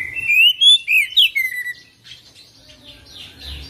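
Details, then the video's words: Oriental magpie-robin in rolling 'full isian' song: about two seconds of loud, fast rising whistles and trills, then faint, softer warbling to the end. "Kacer Full Isian ngerol gacor dorrr"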